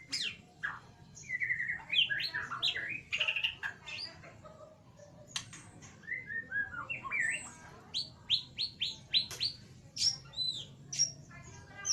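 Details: Ngeriwik song of a white-rumped shama meant as a lure call to train a quiet bird: richly varied whistles, slurs and sharp high notes, shifting phrases, ending in quick chattering strokes, with steady low hum behind.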